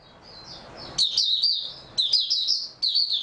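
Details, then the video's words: Oriental white-eye, recorded 3 March 2022 after sleeping well, gives faint high notes, then three loud, quick, sweet chittering phrases, each under a second, with near-silence around them. "Mata Puteh"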